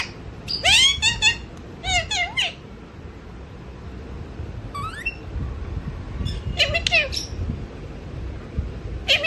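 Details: Sleeping pet mithu parrot mumbling in a small room: several bursts of squeaky, warbling syllables with rising and falling slurs, separated by silent gaps of one to two seconds, and a final short squeak.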